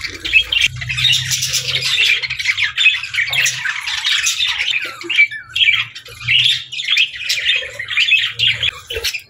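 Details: Budgies chattering and squawking as they play in the evening, rapid raspy warbles in uneven bursts rising and falling in loudness, with a faint low hum in places.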